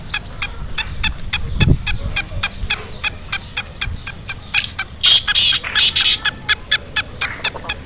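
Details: Black francolin, described as Sindhi, gives harsh, grating call bursts near the end, three to four loud rasping notes in quick succession, over a steady run of rapid clicking ticks and low rumbling background noise.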